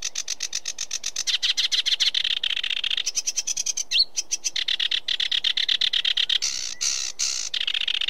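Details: Sedge warbler pouring out a long, dense, scratchy chatter, rapid churring notes broken by a short whistle and brief pauses, varying in pace throughout.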